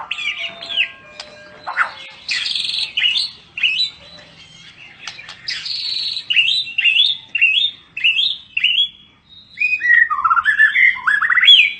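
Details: Mottled Medan-type white-rumped shama, described as exotic, singing a lively series of short rising whistled and chattering phrases separated by brief pauses, with an accelerating run of sliding notes near the end.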